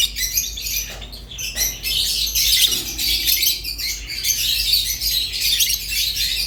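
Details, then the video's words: Rosy-faced and Fischer's lovebirds chattering and singing: a dense, continuous mass of high, scratchy squeaks and chirps that runs unbroken for the whole stretch, with brief dips around the first and third seconds. "تغريد ولا أروع | روز و فيشر غندور بصوت ساحر وممتع"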